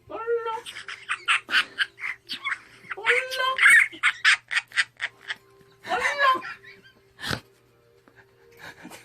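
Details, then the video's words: Parrot laughing: a chattering stream of short squawks and rising whistled notes, with a few speech-like vocal sounds mixed in, repeated in uneven bursts with brief pauses, indoors. "the sound of a parrot laughing 앵무새 웃음소리"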